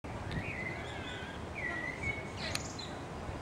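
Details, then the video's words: Common starling giving a few drawn-out, slurred whistles and a sharp click, half-buried in a steady background hiss. "Common Starling"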